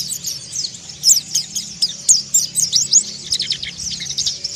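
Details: Mountain white-eye singing in the ngeriwik and ngalas styles: dense, rapid, high twittering with quick rising and falling chirps, loudest around one and two seconds, with a faint low hum beneath.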